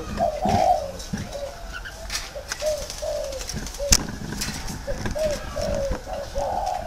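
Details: Spotted dove decoy in a round cage giving softer low coos amid clicks, knocks and background noise.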